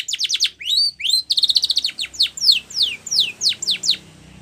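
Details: White Spanish Timbrado canary singing, used as a training song for young canaries: fast runs of steep descending whistled notes, a pair of rising sweeps, then a rapid rattling trill and further spaced falling notes fading out.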